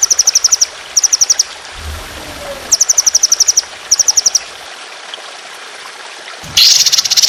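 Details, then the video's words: Trotolan on a songbird training recording with running water, described as fierce with harsh, sustained shooting phrases: short bursts of fast, high repeated notes separated by pauses over steady trickling water, ending in a loud harsh rattle. "Masteran Burung Trotolan Jahat Tembakan Panjang Kasar Ngedur"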